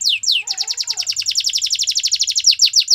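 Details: Canary giving two downward-swept whistles, then a long even trill of quick high notes that ends in slower, louder swept notes.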